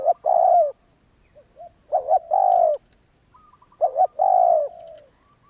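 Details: Spotted dove, described as a very tough wild bird, giving mellow cooing phrases: a short double coo then a longer drawn-out coo, repeated three times roughly every two seconds, with a faint steady high hiss behind.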